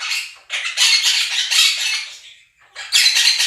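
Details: Two pet Quaker parrots drowning out recorded budgie chirping and singing; harsh, loud screeching in a sustained bout, a short silence, then another burst of grating calls.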